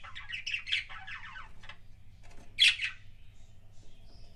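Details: Pet budgerigar's kissing sounds: a run of squeaky chattering notes, a pause with faint clicks, then one loud squealing burst and quieter trailing chatter, low hum throughout.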